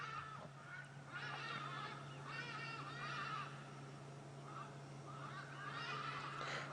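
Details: At sunrise on 18 August 2016, during a morning safari drive in the African bush, a hadeda ibis gives loud, harsh, nasal honking calls in four or five raucous bursts, over the steady low drone of an idling engine.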